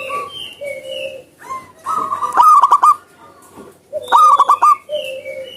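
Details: Zebra dove in the wild giving two bursts of rapid, stuttering coo notes, each about a second long, amid longer drawn-out tonal calls and whistles from surrounding birds.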